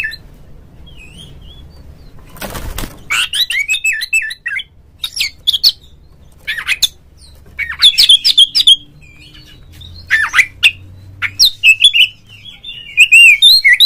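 An oriental magpie-robin sings loud, varied whistled phrases in short bursts with brief pauses. A rustling, flapping burst comes early on.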